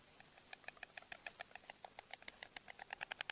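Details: White stork at a nest in Vetschau, Spreewald, on 17 April, recorded by nest webcam, greeting with bill clattering: a rapid, slightly uneven series of dry wooden knocks, several per second, over a steady hiss.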